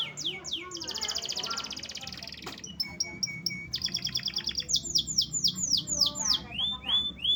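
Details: Singing canary delivers a varied phrase: opening downslurred chips, a dense buzzy trill, a short pause, a second rattling trill, then a series of loud, clean, descending whistles repeated roughly three times a second.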